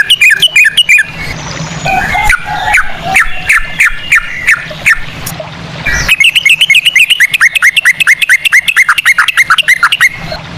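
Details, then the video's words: Yellow-vented bulbul in fast ropel song in cucak rowo style, played as a lure: dense chattering phrases, a softer jumbled middle section, then a long rapid series of short, sharp descending whistles. "pancingan ampuh burung trucukan ropel cengkok cucak rowo"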